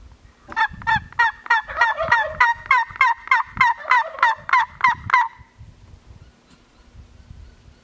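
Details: Wild Gould's turkeys surveyed on Mt. Lemmon, southeastern Arizona: a steady run of about fifteen rapid, gurgling gobble notes over five seconds, then near quiet with faint low rumbling.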